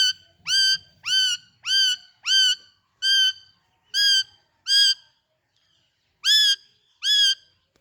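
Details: Young Indian ringneck parakeets sitting on a stick and playing with each other, with an Alexandrine parakeet present. Loud harsh rising screeches come in quick succession, seven at first, then a pause and two more.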